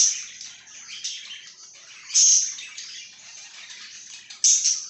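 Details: A budgie keeps up a quiet, scratchy, twittering warble, punctuated by two shrill, emphatic chirps about two seconds apart.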